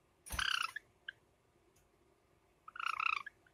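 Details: Pet Java sparrows, a light silver ino and a sakura bird, kept indoors in summer: two buzzy, rapidly pulsed harmonic bursts with a single short chip between them, then quiet.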